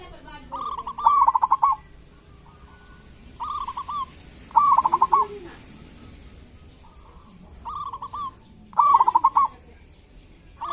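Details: Zebra dove of a local strain in lively kerot and bekur song, meant to coax silent doves into calling: bursts of rapid staccato coos, each followed by softer drawn-out notes, coming roughly every four seconds, with quiet background hiss.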